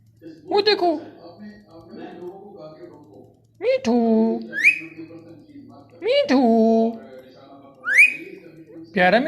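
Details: A pet talking rose-ringed parakeet (ringneck) repeats short speech-like phrases such as "me too", with sharp rising whistles between them, in a quiet room.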